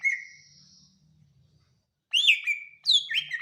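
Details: Greater Green Leafbird, known locally as cucak ijo, singing in a comparison of BWI, Kalimantan and Sumatran birds: a long steady whistle, a silence with a faint low hum, then bright swooping whistled phrases.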